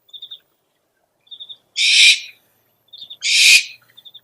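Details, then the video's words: Lure call of an owl: quick triplets of high, pure chips, then two long, hoarse screeches roughly one and a half seconds apart, with a final chip triplet. "SUARA PIKAT BURUNG HANTU - SOUND CALLING OWLS"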